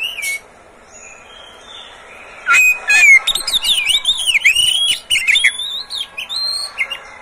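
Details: Oriental magpie-robin, the owner's own pet bird, singing: a rich, varied run of sweet whistles, slurred notes and rapid chattering phrases in quick bursts after a brief pause; used as a master song to prompt other magpie-robins to sing, morning, midday and evening.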